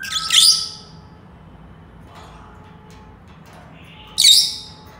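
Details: Senegal parrot squawking twice, a harsh, noisy screech at the start and another sharp burst about four seconds later, separated by near silence with faint indoor hum.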